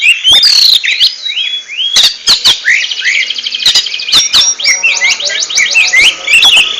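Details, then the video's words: Kacer, the oriental magpie-robin, singing ngentrok style: sweet sliding whistles, then fast trilled sequences of repeated short notes and chips, packed tightly with barely a pause. "RAJA NGENTROK!!! Kacer super kicau"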